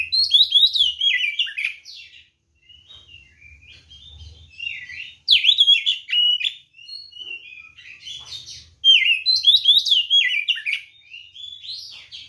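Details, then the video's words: White-rumped shama in provocative fighting song, repeating loud bursts of fast, jumbled whistles and warbles about every three to four seconds, separated by softer twittering. "SUARA BURUNG kacer gacor NGEPLONG TARUNG ini paling AMPUH buat PANCINGAN kacer NYAUT EMOSI"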